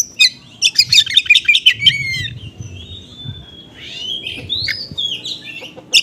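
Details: Oriental magpie-robin singing konslet style with small-bird material, meant to draw replies from other magpie-robins: rapid run of sharp high notes about one second long, then soft drawn-out whistles and buzzy slurred phrases.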